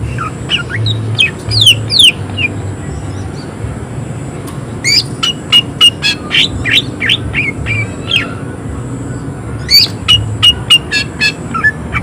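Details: Greater green leafbird delivering harsh, excited shooting song: clusters of sharp, rapid whistled notes and brief slurs come in separate bursts divided by short quiet gaps, against a continuous low hum.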